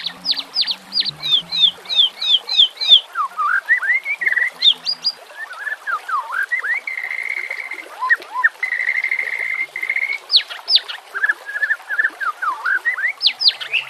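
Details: White-rumped shama song on a training recording for caged birds, set with nature sounds and trickling water: rapid series of downslurred high whistles, then varied looping warbles and a long steady whistled note, with low croaking beneath.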